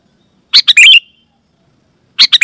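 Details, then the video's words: Sooty-headed bulbul, loud lure call meant to set other bulbuls singing; two quick bubbly bursts of chirps separated by a long silence. "Suara Burung KUTILANG GACOR,Super Ampuh Keras, Lantang dan Jernih, Burung Kutilang Lain Auto Gacor"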